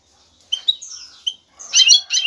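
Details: Male European goldfinch singing to court a female for mating: a few sharp high chirps and a slurred whistle after a brief silence, then a dense, loud twittering burst.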